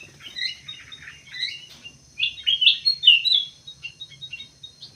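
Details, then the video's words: Rapid chatter of high chirps from munia (emprit sawah), irregular and overlapping, peaking in a cluster of louder bright notes mid-way before trailing off into soft ticks. "burung emprit sawah, emprit kji"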